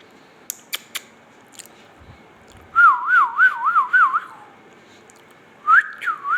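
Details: Indian ringneck parakeet, said to be talking. A few sharp clicks and soft taps come first, then two bursts of rapidly wavering, warbled whistles, with the second burst starting slightly higher, in a quiet indoor setting.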